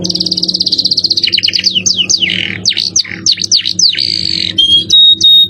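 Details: Jerih-voiced canary singing cengkok mewah luxury style for masteran training: opens with a very fast even trill, then buzzy V-shaped notes and a long harsh buzz, ending in pure flat whistles; faint low hum underneath.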